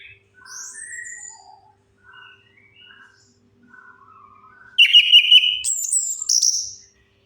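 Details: Orange-headed thrush lure song for birds that will not sing: a string of soft, thin whistles, then a loud two-second outburst of rich, high, rapidly changing whistled notes.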